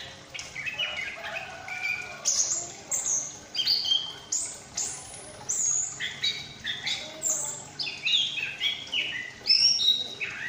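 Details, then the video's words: Captive juvenile Chestnut-capped thrush, Malang, moulted out of spotted plumage, actively chattering in ngriwik style while learning to sing openly; a dense run of varied high whistles, slurred and abrupt, with brief pauses between phrases. "Anis Kembang Ngriwik Lepas Trotol mulai ngeplong"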